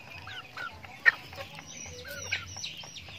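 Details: Chickens at feed in a backyard farm give separate clear chirps and a lower drawn-out whistled call, with a sharp tap or peck sound and a faint low hum.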